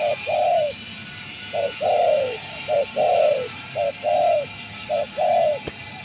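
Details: Spotted dove used as a trapping decoy delivers evenly spaced coos, each a brief note followed by a falling longer note, five phrases over steady hiss and low hum, with a click near the end.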